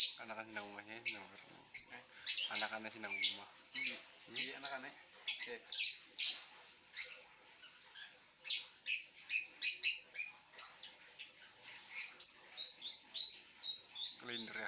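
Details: Lovebird lying down while it calls: a long stream of shrill squeaks, chirps and harsh chatter notes, densely repeated with brief gaps, with a few lower buzzy rasps mixed in.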